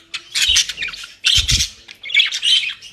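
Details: Captive budgerigars kept as pets in Den Haag, Netherlands, feeding on dry leaves and grass; loud bursts of harsh, scratchy squawking chatter in three clusters, with a few low thumps between them.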